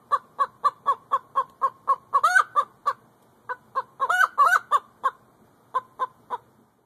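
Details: Domestic hen giving rapid, regular clucks, with bursts of louder rising squawky notes in the middle, then slowing to a few spaced clucks.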